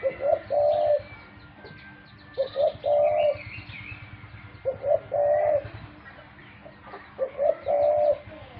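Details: Four low coo phrases from a pet dove, each a double short note and a sustained hum, spaced about two seconds apart, with thin higher chirps from other birds.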